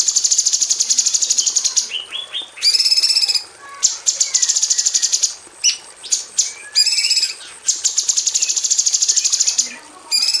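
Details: Female cucak cungkok bulbul kept in an aviary, singing the close rapid-fire 'tembakan' style used as a tutor for magpie robins: dense bursts of fast, sharp, high repeated strokes broken by brief pauses and a few lower slurred notes.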